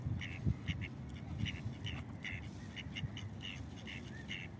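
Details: A pair of mallards on a beach, the drake chasing off a rival pair from food and accelerating on the water; short, raspy nasal calls in quick bursts, about two a second, over a steady low rumble of water and wind.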